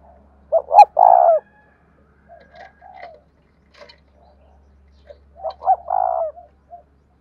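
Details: Spotted dove of the 'giọng đồng thổ' style. A loud phrase of two short notes and a long coo opens, soft low coos and sharp ticking clicks follow, then a second full phrase and a final short note.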